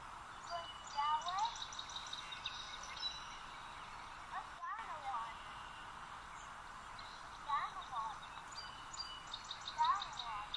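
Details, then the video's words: Song sparrow, an early spring arrival in Ontario, April, singing from one spot to mark territory: repeated phrases of bright opening notes followed by a quick jumble of trills and buzzy notes, over steady low hiss. "so this is one of our early sparrows to arrive in ontario it is a song sparrow it has such a distinctive call"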